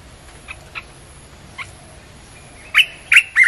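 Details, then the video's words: Red-whiskered bulbul song for luring wild birds: a few faint chirps, then three loud, rich whistled notes in quick succession, with a thin high tone held in the background. "เสียงนกกรงตาแดงEp.252 เปิดล่อนกป่า"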